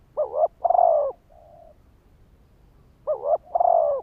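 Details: Spotted dove lure call meant to trigger wild males: two mellow cooing phrases about three seconds apart, each opening with a brief double note, swelling into a long coo and ending in a soft low note.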